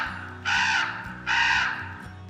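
A Common Raven gives two harsh, throaty croaks, each lasting under half a second and spaced nearly a second apart, over soft background music.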